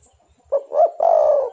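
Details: Three-part coo of a spotted dove (derkuku), played to lure birds into calling: a brief clipped note, a rising swelling coo, then a long, slightly rough, falling coo.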